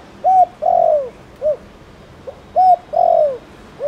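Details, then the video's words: Thổ Đồng spotted dove calling to provoke other doves, two full phrases: a brief soft lead-in, a clear hoot, a drawn-out falling croo, then a short closing coo, evenly spaced. "Tiếng cu gáy Thổ Đồng gọi bổi nhanh gáy"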